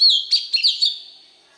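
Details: Brief white-rumped shama phrase for young birds to learn: a loud, looping whistled note followed by a few quick warbled notes that fade out.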